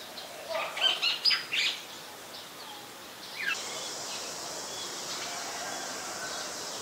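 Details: White-vented myna (Acridotheres grandis) recorded in Ubon Ratchathani, Thailand, on 11 January 2021: a burst of four loud, harsh chattering notes in the first two seconds, then a downward sweep and steady background hiss.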